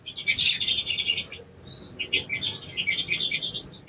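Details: Crimson sunbird, green-plumaged (sogon ijoan), used to train quick singing: a steady stream of high, buzzy twitters and chirps with a brief pause midway, over soft low background noise.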